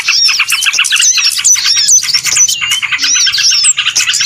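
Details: Small birds on a trapping lure recording, a busy flock-like din of sharp chirps and quick upward-sweeping whistles layered without pause.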